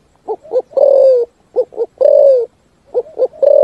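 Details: Spotted dove 'thúc gù' song: two brief hollow coos, then a long coo that falls in pitch, with clean pauses between the three phrases.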